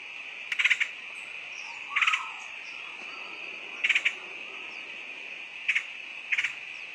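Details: Woodpecker lure sound with brief rattling bursts of three or four fast notes, spaced one to two seconds apart, over a continuous high whine.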